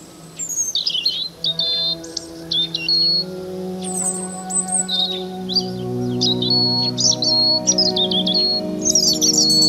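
European robin singing thin, high, varied phrases of liquid whistles and quick trills with short pauses, over a steady low tonal hum in the background.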